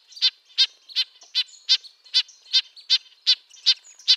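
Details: A red-breasted nuthatch gives a run of about eleven high, nasal trumpet-like notes, fairly evenly spaced, with softer distant calls filling the gaps.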